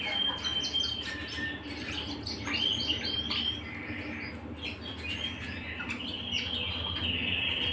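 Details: Canary singing at home, a busy stream of chirps, short whistles and trills, over a steady low indoor hum.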